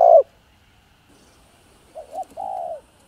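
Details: Spotted dove coo meant to stimulate other doves to call, in calling, urging and crooning styles; the tail of one note, silence, then two quick soft notes leading into a drawn-out level coo.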